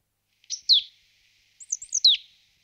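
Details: Marsh tit giving two short bursts of thin, high, sharply downslurred notes, the second preceded by a few quick looping chips, in otherwise silent surroundings.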